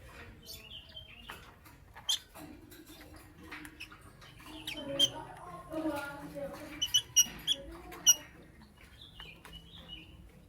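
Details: Pet lovebird chirping in the morning: sharp, high squeaky chirps scattered over ten seconds, bunched into a quick run near the end, with softer lower warbling sounds in between over a faint background hum.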